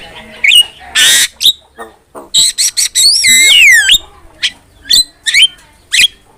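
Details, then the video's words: Javan myna (jalak kebo), a kept songbird, singing a mix of short whistled notes, a harsh noisy screech and a long curving whistle that falls and rises, followed by brief chirps. "MASTERAN JALAK KEBO GACOR"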